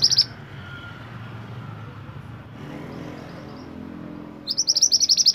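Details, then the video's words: Mantenan (kuniran), a songbird kept for training other songbirds, in long lively song: dense rapid bursts of high chattering notes, a short burst at the start and a longer rattling run near the end, over low background hum. "mantenan gacor nembak durasi panjang cocok untuk masteran kicau mania"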